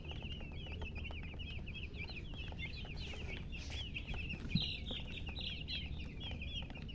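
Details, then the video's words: Chicks of the domestic chicken chirp together, giving dense runs of bright, high peeps, each a quick wavering slur, almost continuous, with a constant low droning hum underneath. "silly chicken chirping sounds"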